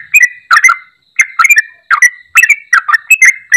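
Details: Lively song of a yellow-vented bulbul, meant to prompt a quiet bulbul to sing again: chattering bubbly whistles in short bursts, some phrases ending in a drawn-out level whistle, with one brief pause.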